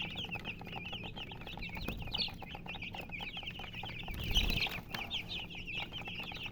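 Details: Baby chicks peeping continuously in a dense flock, high short chirps running together, with a steady low hum and a brief scuffling noise midway.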